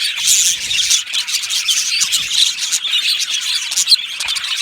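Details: Colony of Australian budgie parrots chirping in an aviary: thick high warbling chatter with squeaky notes, many birds calling over one another without pause.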